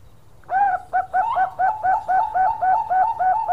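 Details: Male zebra dove (Bangkok perkutut) in full song: a rapid run of soft, rounded coos, about four per second, each a quick rising-falling note, over a quiet background hum.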